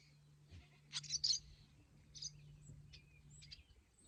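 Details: Wild barn swallows: three fledglings just out of the nest call to parents teaching them to fly, third day. Thin, high twittering chirps cluster near the first second, then scattered short calls over a steady low hum.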